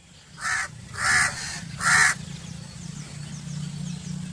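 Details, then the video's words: A crow gives three harsh, hoarse caws about 0.7 seconds apart, each loud and broad-toned, followed by a low steady hum in the background. "Crow Calling Sound"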